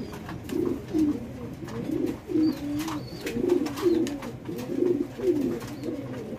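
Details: Fancy pigeons, a domestic breed kept on a farm in Bangladesh, giving rhythmic low coos, each a swelling rolling note repeated roughly every second, with faint background hum.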